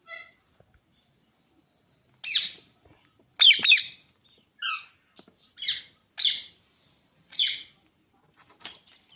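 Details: A pet green parrot, urged by its owner to talk, gives a series of harsh, screechy squawks, about seven rasping bursts spaced roughly a second apart, a few with short tonal notes, in an otherwise quiet setting.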